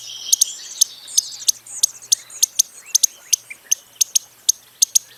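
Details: Rapid series of thin, sharp, high-pitched ticks from a Costa's hummingbird, often doubled, with faint twittering underneath.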